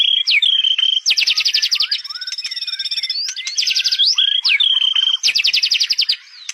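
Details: Loud white-rumped shama song mixing a flat whistled note, dense rapid rattling trills lasting about a second, and upward swoops, repeated in cycles; a constant high tone runs behind.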